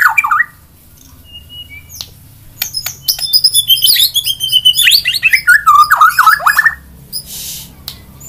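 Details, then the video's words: Magpie-robin singing: a rich run of varied whistled and chirping phrases, sliding and warbling through high notes in a dense burst after brief opening notes, with a low steady hum underneath. "BURUNG MURAI BERKICAU"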